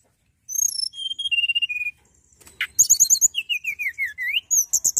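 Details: Hill prinia singing energetically for training young birds: short high whistles stepping downward, a brief pause, then rapid twittering trills followed by a descending run of slurred notes and more fast chirping.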